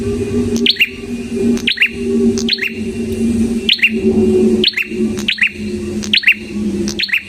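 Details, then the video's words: Prinia song for luring and mastering songbirds: quick high doubled chirps falling in pitch, repeated irregularly several times, partly masked by a loud steady low hum. "SUARA BURUNG PRENJAK KEPALA MERAH GACOR SANGAT COCOK UNTUK PANCINGAN PRENJAK DAN MASTERAN BURUNG"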